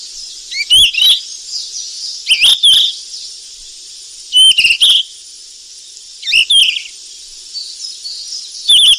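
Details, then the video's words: Golden flycatcher feeding its young in the wild: five separate bursts of high, thin whistles and short chirps, irregularly spaced a couple of seconds apart, with a steady hissing background. "BURUNG SIKATAN EMAS YG CANTIK DI ALAM LIAR LAGI LOLOH ANAKNYA PLUS SUARA MASTERAN"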